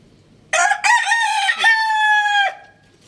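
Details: Rooster crowing once, loud and close: a harsh, stuttering burst of rich harmonic notes opens the call, then a long, steady, drawn-out note holds for almost a second before stopping abruptly, with little else heard behind it.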